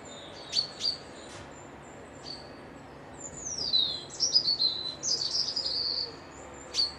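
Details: Birds whistling on a peaceful midweek break at Piperdam Lodges beside a loch in Dundee: a few sharp high chirps, then long, bright, falling and sweeping whistled slurs clustered near the end, over a soft steady background hush.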